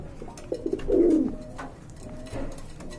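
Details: Pigeon indoors, a few short low clucks followed by a fuller throaty coo lasting about a third of a second, then quieter murmuring and clicks.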